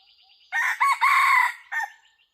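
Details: A red junglefowl crows loudly where hunters use a decoy bird: a short opening note, two clipped syllables, a long sustained harsh middle, then a brief separate closing note, with a faint steady high whine behind.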